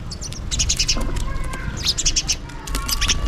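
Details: Calling for food while feeding, house sparrows give clear, rapid chirps in two quick bursts of repeated high notes, with low background hum.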